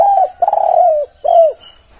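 Spotted dove cooing: a soft low note, a longer rolling coo, then a final downslurred coo, all in about two seconds. No other sounds.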